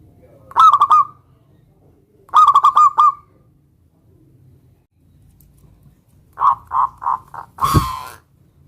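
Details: Zebra dove of local stock singing to provoke a rival into replying; two quick trilled cooing phrases, then a string of separate short coos ending in a loud broadband thump.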